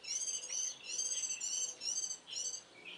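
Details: A warbling white-eye's high, tinkling song at dawn in mid-April, sounding rather distant: short ringing phrases repeated about twice a second over a soft background hiss.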